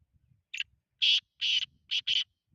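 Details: Black francolin calling: a short faint note, then a loud harsh burst, a longer grating note and a quick double note, all high and scratchy, spread over about two seconds with faint low rumble beneath.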